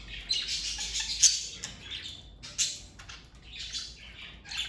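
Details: A family of pet parakeets squawking in harsh, buzzy bursts separated by short pauses, mixed with high scratchy chirps.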